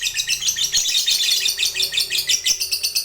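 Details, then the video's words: Lovebird of the fighter type giving a long 'ngekek' trill, used to prompt other lovebirds to trill quickly; a dense, high, rapid chattering of buzzy notes runs unbroken through the whole stretch, slightly uneven in rhythm. "Suara Burung Lovebird ini PINTAR Sekali Bikin Labet Cepat Ngekek"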